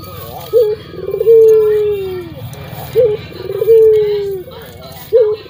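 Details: Local puter dove with a thick, very loud voice, kept as a lure for other doves: low coos, each a short wavering trill then a long falling drawn note, repeated about every two and a half seconds.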